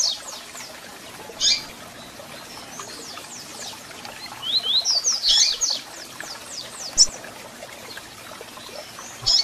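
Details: Double-collared seedeater singing with calls, meant to warm up and excite a captive bird: a sharp chip, a dense rapid burst of high downslurred notes, then further single chips spaced apart, with light background hiss.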